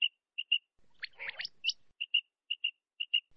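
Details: Common quail call used to lure quail for netting, recorded in Pakistan: sharp, high chirped notes, often in pairs, repeated about twice a second, with a brief burst of scratchy, jumbled notes in the middle.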